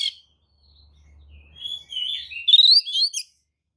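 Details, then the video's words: Tail-spreading Oriental magpie-robin lure song intended to agitate other magpie-robins into replying; a brief note, then a quiet pause with a low hum, building into loud rising, buzzy twittering phrases. "kacer manapun jelas nyaut oleh kicau pancingan kacer buka ekor! kacer dijamin emosi"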